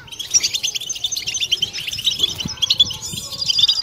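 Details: Several European goldfinches twittering in a group 'butbata' used to stimulate females and males. Busy, high chirping with sharp bright notes repeating throughout, steady and unbroken.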